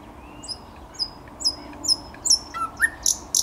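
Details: Thrush nightingale song recorded 10 May 2021. Thin, high, down-slurred whistles repeat about every half second, then the phrase drops into lower, fuller notes and sharp high clicks.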